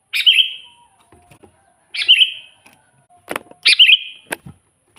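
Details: Lively song of a sooty-headed bulbul, a lure recording for catching wild birds: three short chirpy, fluty phrases about every one and a half seconds, with sharp clicks and knocks near the end.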